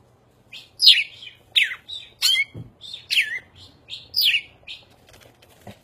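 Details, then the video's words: A cardinal sings on a person's shoulder: clear, sharply down-slurred whistles about one per second, each followed by a brief softer note, with faint thumps in a quiet room. "CARDENAL CANTANDO"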